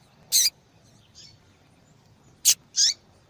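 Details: Female yellow-bellied seedeater calling to stimulate a male: a high buzzy chip, a faint soft note, then a sharp chip quickly followed by a longer buzzy note.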